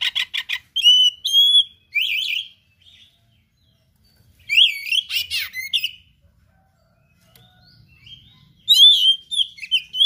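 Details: Oriental magpie-robin (kacer) singing 'gacor', full of rare learned phrases: bursts of chattering notes and bright whistles, each phrase a second or two long, with silent gaps between.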